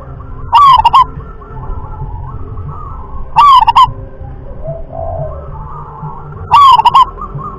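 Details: Local wild-type zebra dove (perkutut lokal alam) singing the sought-after rhythm-class (kelas irama) style: a low cooing phrase of a rolling opening note and quick stuttered coos, repeated about every three seconds over faint background hum.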